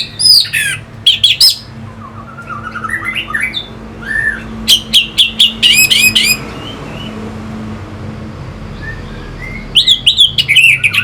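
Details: Orange-headed thrush song meant to excite fighting birds: loud bursts of high clicks and whistled notes separated by quieter stretches of soft slurred phrases, ending with another energetic burst, faint low hum throughout.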